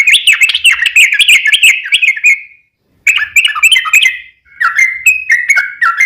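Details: Sooty-headed bulbul in captivity giving a long rolling song meant to provoke other bulbuls to sing back; lively bubbling phrases of quick up-and-down chirps in two bursts, then clearer separate whistled notes.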